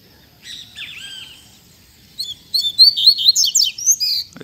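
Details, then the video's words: Soft, lower warbling notes come first, then a double-collared seedeater launches into loud fibra song: a quick, high sequence of clear whistled and chipped notes ending with a click. "Coleiro Mack Canto Fibra Dando um Show!!!"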